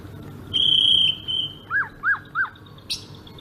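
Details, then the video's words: A bright sustained whistle from a Sumatran greater green leafbird, ngerol song style, breaks into three lower arched notes about a third of a second apart, then a sharp high burst. "kicau burung cucak ijo sumatra ngerol"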